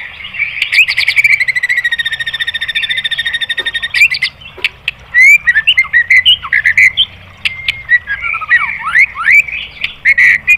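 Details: White-rumped shama song used to spur other birds into singing: a long rapid buzzy trill, then a varied run of sharp whistled slurs and chattering notes.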